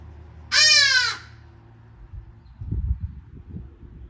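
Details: Hadada ibis giving a single loud, harsh, nasal squawk that lasts about half a second and slides slightly downward, followed by low rumbling background noise.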